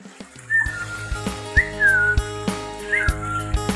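A lory gives three clear whistled notes, each rising briefly then gliding down, over a steady background hum and scattered clicks.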